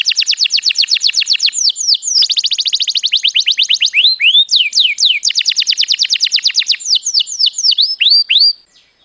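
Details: Canary song used for training young canaries to sing: long rapid trills of sharp chirping notes, dozens per burst, switching to slower swooping downslurred whistles, then fast trills again, clean and loud.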